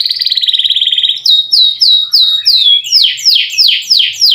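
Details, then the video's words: Canary singing with long rolls, used to prompt lazy canaries to sing: a fast buzzy trill lasting about a second, then a run of bright descending swoops repeated roughly three times per second. "KENARI GACOR NGEROL PANJANG COCOK UNTUK PANCINGAN BUNYI BURUNG KENARI YANG MALAS BUNYI"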